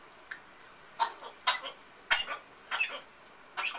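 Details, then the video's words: Pet male African grey parrot imitating a person's coughing: six or seven short, breathy, hoarse bursts spaced about half a second apart, like a dry cough repeated over four seconds. "African Grey Imitating Everything"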